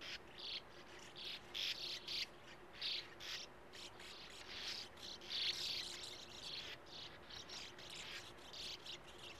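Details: Breeding Sand martins at burrows dug into an earth bank beside a gravel-pit lake; repeated scratchy, buzzy bursts every second or so, some overlapping, in otherwise quiet surroundings.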